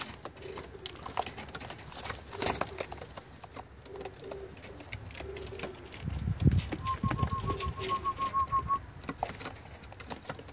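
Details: Red bar homing pigeons used for racing: soft, low cooing phrases recur in the first half amid shuffling, a thump, then a quick run of high, even peeping notes near the end.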